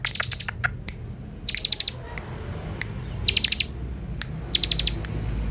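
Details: Young bar-winged prinia (ciblek dakun), a lure bird, delivering clipped, ringing chirps in tight bursts of five or six, repeated about every second, with scattered single notes between and faint low hum.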